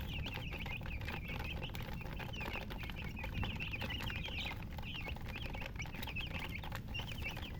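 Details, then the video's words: Rapid high chirps from chickens run in overlapping bursts, a busy chorus of short wavering peeps above a rumbling low background. "silly chicken chirping sounds with murgi hen color chicken"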